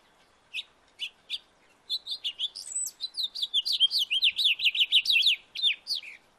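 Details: A few spaced chirps, then a long, lively house finch song of quick slurred notes rising and falling, building steadily and lasting over four seconds; recorded in a backyard.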